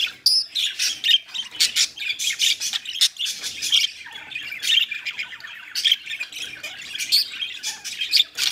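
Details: Budgerigars while mating: busy high warbling chatter broken into short loud bursts of chirps and clicks, with brief quieter gaps between them.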